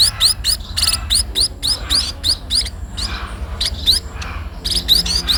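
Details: Sparrows being fed, giving rapid, high, rising chirps in bursts of about four per second, uneven in rhythm, over a low steady rumble.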